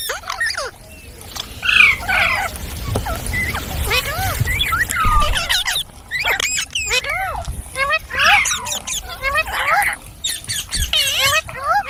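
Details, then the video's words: Several green parrots calling together, a busy overlapping chatter of arched, bending squawks and whistles in quick bursts, with brief pauses near the start and middle and a low rumble of background noise. "Beautiful Green Parrots Talking | Funny Parrot Sounds"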